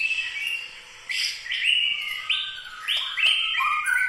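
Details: White-rumped shama of the local Medan Bahorok, Bukit Lawang type singing long clear whistles that step up and down in pitch, each held about a second, with thin high overtones and quiet background.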